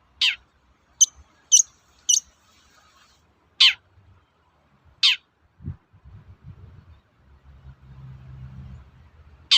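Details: Long-tailed shrike (cendet) uttering its toet-toet provoking call: a harsh downslurred note, three quick short high chips, then two more rasping notes and a final one, followed by low rumbling background noise.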